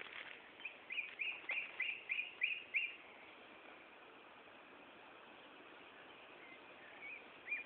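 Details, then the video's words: Common nightingale song at Gaasperzoom, 16 May 2012, afternoon at 15:30: a fast repeated series of about eight sharp, even notes, then quieter faint phrases against constant low hiss. "Nachtegaal zang"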